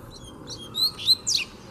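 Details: Wild double-collared seedeater facing off with a caged one. Soft thin notes lead into three louder, high, clipped whistles, slurring downward, in under two seconds.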